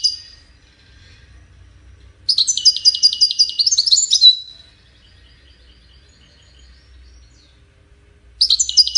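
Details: European goldfinch singing: high, rapid twittering bursts, a two-second run of quickly repeated bright notes rising into a buzzy ending, then a near-quiet pause with faint twitters before another burst starts; low steady hum underneath.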